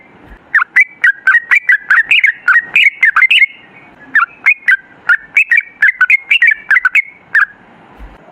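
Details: Long, prolific yellow-vented bulbul lure song: two rapid runs of chattering, bubbly notes jumping up and down in pitch, separated by a short pause.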